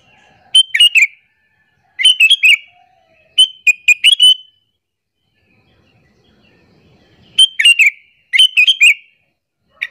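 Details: Sooty-headed bulbul lure call, used to attract other bulbuls and rile them: bursts of three to four rapid bright chirps repeated in clusters, then a pause of about three seconds before two more bursts.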